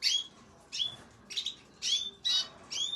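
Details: Red and yellow canaries: six short high chirps with rising whistled tails, about one every half second, on a quiet background.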